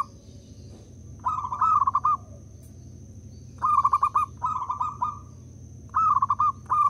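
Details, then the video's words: Lure recording of a local zebra dove meant to stimulate other doves: several short, rapidly pulsed cooing bursts, some back to back, spaced irregularly over seven seconds. A thin steady electronic tone sits in the background. "Pekrutut lokal jadi cepat manggung dengar perkutut ini bunyi (PERKUTUT PIKAT)"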